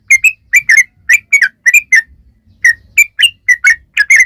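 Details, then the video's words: Sooty-headed bulbul in lively song, used to prompt bulbuls to respond: short bright whistles, rising and falling, grouped in quick pairs with small gaps, plus faint low background noise. "trucukan gacor ROPEL PANJANG"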